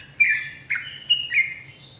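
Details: Brief sooty-headed bulbul ropelan phrase: four clear whistled notes, each sliding down in pitch, with a higher thin note at the end over a low steady hum.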